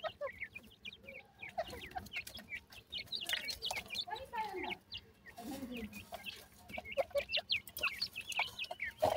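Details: Partridge babies at feeding, continuous high chirping and twittering from several chicks, with soft lower clucks and intermittent rustling over nine seconds.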